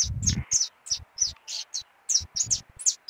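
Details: Canarinho pardo singing a lot, giving bright, high-pitched chirps in quick uneven bursts, with low thumping noise at the start and in the middle.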